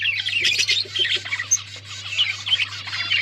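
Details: Budgies chirping and talking, recorded October 31, 2023: busy overlapping high-pitched warbling and scratchy chirps, several birds calling at once without pause over a constant low electrical hum.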